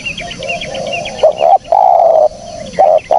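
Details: Spotted dove giving mellow, low coos used as a lure: a long steady coo and shorter ones close together, over quieter coos and a chatter of high chirping from other birds.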